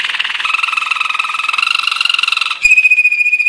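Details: Belgian Waterslager (Malinois) song canary singing a training song: rapid bubbling trill repeated about 3-4 times per second, then a clear steady whistled note near the end.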